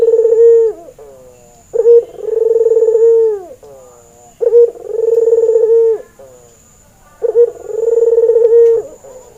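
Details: White albino Barbary dove with red eyes, a male in breeding condition, cooing as a lure for training other doves: four rolling coos, each a short sharp note then a long purring hum, repeated about every two and a half seconds.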